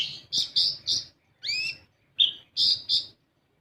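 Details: Kolibri ninja, the olive-backed sunbird, recorded as a lure to get other birds singing: a few bright buzzy chirps, one rising-then-falling whistled slur, then two more quick chirps before silence.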